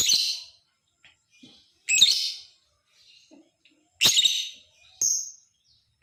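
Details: Lovebird chattering to make other lovebirds call back: three harsh, shrill, raspy bursts about two seconds apart, followed by a thinner, high, whistled squeak, with soft chirps in the gaps.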